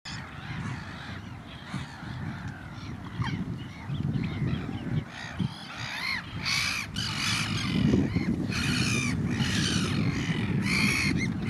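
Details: A young pied avocet at Benthuizerplas gives rapid, repeated short ringing calls, some rising and falling, more than two a second, over a steady low rumble of wind.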